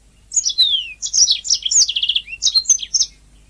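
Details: Canary singing on a training master recording: a descending whistle followed by rapid high warbles, a fast buzzy trill of repeated notes and more twittering phrases, with no background noise.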